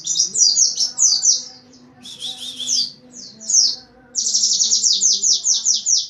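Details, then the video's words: Rapid-fire 'nembak rapat' song of an Oriental white-eye: high, sweeping notes in fast runs, a short buzzy rattle, then a long unbroken string of shrill chips, with a low background hum. "Suara Pleci nembak rapett!!"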